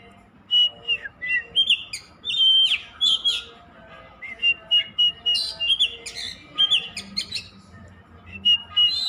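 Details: Oriental magpie-robin singing steadily, varied whistled phrases with flat and slurred notes interspersed with sharp rising chips, delivered in short bursts with brief gaps.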